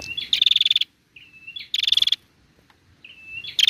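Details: A female bar-winged prinia, used to stimulate other prinias to call, gives a thin whistled lead-in followed by a fast, buzzy trill of high notes, repeated about every one and a half seconds.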